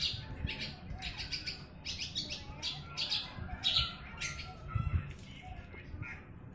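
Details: Javan bush lark from Jombang in East Java, Indonesia, singing tirelessly for use in teaching other birds. It gives spaced bursts of sharp chirps and thin whistles over a low background rumble.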